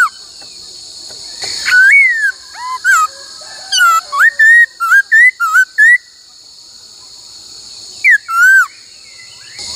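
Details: Laughingthrush during song training to sing many voices and the 'cô trói cột' phrase. Loud clear whistled notes bend up and down in a quick series of short slurred phrases, then a pause, over a steady high hum.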